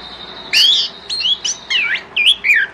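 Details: Orange-headed thrush singing in the morning to lure other thrushes into answering: a series of short varied whistled phrases, slurred and warbling, separated by brief pauses over faint background hiss.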